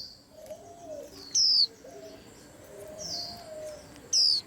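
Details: White-eyes in a commotion: two loud, high, falling whistles about three seconds apart, among softer high notes and lower murmuring calls in the background.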